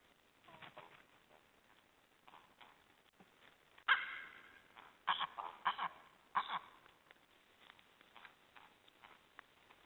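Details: Young white-tailed eagles eating and fighting over food in falling snow in Estonia on 18 January 2011, with faint scattered notes, then a burst of loud harsh yelping calls near the middle.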